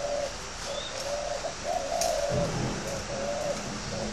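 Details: Spotted dove, a fighting bird, calling: soft, low hollow coos in a repeated series of short and drawn-out notes, over steady background hiss.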